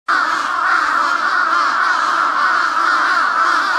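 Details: Large-billed crow during a fight: one sustained, loud, raspy and hoarse cry that holds steady without a break from start to finish.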